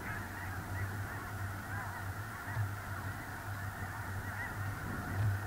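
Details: Huge gathering of snow geese on a small lake, central North Dakota, early November 2021: countless overlapping high, barking honks merge into a continuous clamour, with low rumbling wind beneath.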